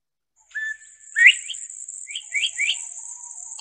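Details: Northern Bobwhite giving its clear 'bob-white' whistles: a short low note, then a sharply rising 'white', in quick slurred pairs over a faint high hiss; a call heard a lot in spring as birds nest and mate.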